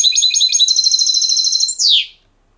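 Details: Trained caged goldfinch from Spanish silvestrismo sings a clean phrase: rapid high trilled notes in an even run, ending in a slurred descending buzzy note, then silence.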